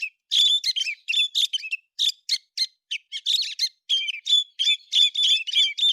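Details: Héc xoan bird singing in September 2020: a rapid stream of sharp, chirpy phrases, each a cluster of high whistles sliding downward, about three per second, with short silent gaps and no other noise.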